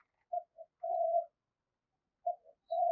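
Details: Quiet spotted dove cooing in 'thúc' style, used as a lure for trapping: two short notes and a steady sustained coo, a pause, then the same pattern again, softer and more distant.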